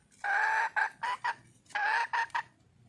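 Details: A wild junglefowl hen calls for a mate: a drawn-out harsh note followed by two or three short clucks, the whole phrase given twice.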